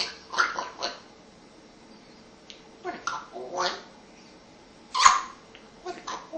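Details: Mature female African grey parrot, rescued 8 months ago, talks in short speech-like bursts (words like "water", "kettle", "good boy") with a few sharp whistled notes, spaced by pauses, in a small echoing room.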